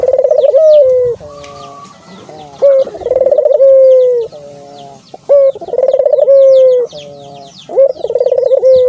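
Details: Barbary dove cooing, used to prompt other doves to call: a short clear note, then a fast rolling trill, then a long steady note that falls slightly. The phrase repeats three times, with high chirps of small birds behind it.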